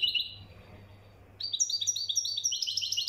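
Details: Moroccan goldfinch with a mkhantar-style song: a brief twitter, a quiet gap, then a rapid run of tinkling notes rising and falling, over a steady low hum.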